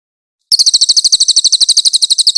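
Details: White-eye song recorded as a clear-voiced tutor track for training songbirds: a fast, very even run of high, bright chirps, about ten a second, keeping a steady rhythm after a short silence.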